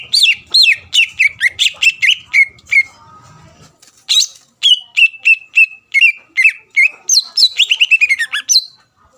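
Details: Greater green leafbird singing to provoke rival birds into answering, long rapid series of sharp whistled chirps, a brief pause, then more varied phrases ending in a quick descending trill-like run.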